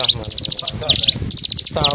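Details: Mountain bird from East Java, Indonesia, used to train competition stone magpies in Kediri Regency, singing while dancing: rapid runs of piercing high chirps broken by downward-sweeping notes, over a soft low murmur.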